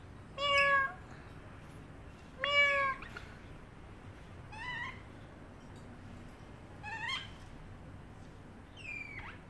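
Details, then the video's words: A caged pet parrotlet meows like a cat: five meow-like calls about every two seconds, the first two loud and rich, the rest thinner and chirpier, with faint speech and music underneath. "the parrotlet making funny sounds and meowing like a cat"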